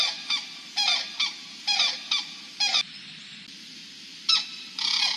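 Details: Crane arriving in a blue-toned snowy scene, giving a unison call: a series of loud, harmonic, honking notes in uneven bursts, several close together and then a longer trailing call, over a steady low background hum.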